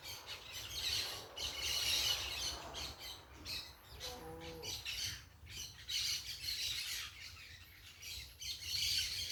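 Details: A group of parakeets making noise outdoors, rasping high squawks pouring out in waves, with a short faint tonal sound midway and a low hum throughout.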